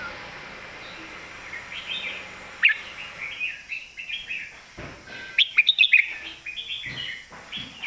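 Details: Red-whiskered bulbul raised for song contests performs its master song, a strong-voiced sequence of warbling phrases ending in a quick cluster of bright, clipped notes, with light background hiss.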